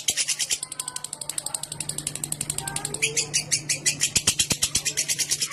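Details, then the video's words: Lovebird ngekek, a long chattering song played to prompt other lovebirds: a quick, high, clicking chatter of even pulses, with a faint low hum and soft voices underneath. "Suara Burung Lovebird Ngekek Jernih Pancingan Buat Lovebird Ngekek Panjang"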